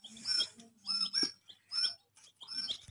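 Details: Baby chicks chirping in four distinct bursts, each a cluster of piercing high peeps with lower falling notes, separated by short quiet gaps.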